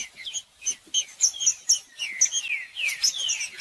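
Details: Green-winged saltator song used to warm up and stimulate a cold, quiet bird: rapid bursts of short sharp notes, then several clear whistled slurs sliding downward, delivered in quick succession.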